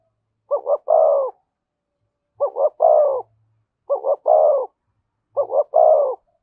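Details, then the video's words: Spotted dove cooing in the Vietnamese thổ voice with thúc and kèm: four evenly spaced phrases about every 1.5 seconds. Each is a pair of quick notes followed by one longer, vibrating, slightly falling coo over silence. "tiếng cu gáy giọng thổ thúc và kèm hay nhất"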